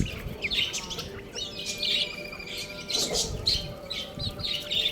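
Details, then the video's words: Several baby chickens playing and eating, calling with bright, high chirps in clustered bursts roughly every half second, some notes sliding downward, over a soft steady background hum. "Cute Little Chicks Chirping Sounds | Baby Chicken Playing and Eating"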